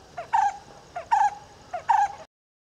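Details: Brown-headed barbet at Umamaheshwaram temple, Nagarkurnool district, Telangana, giving three throaty two-part notes, a short lead-in then a louder rolling 'kutroo', repeated about every 0.8 seconds against a quiet background.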